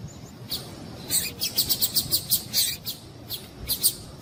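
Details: Female double-collared seedeater call, played to stimulate a male to sing: a rapid run of short, high, sharp chirps, about eight in a second, followed by a few scattered single notes over quiet background hiss.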